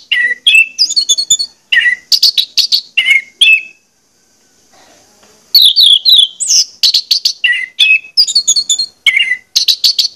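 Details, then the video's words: Lure song of an orange-headed thrush for stimulating birds: quick, varied phrases of chips, buzzy trills and short whistles in tight runs, a pause of nearly two seconds, then more dense, energetic phrases. "pancingan anis merah ini bakalan bikin gacor jika di putarkan"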